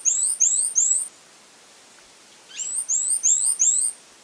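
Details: A Fawn-breasted tanager (Pipraeidea melanonota) sings very high, thin, slurred notes: a quick burst of three, a pause, then four or five more at the same pace.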